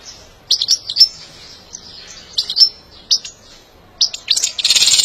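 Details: European goldfinch singing for song training and stimulation: clusters of bright, high chirps and short twittering phrases separated by brief pauses, ending in a rapid rattling burst.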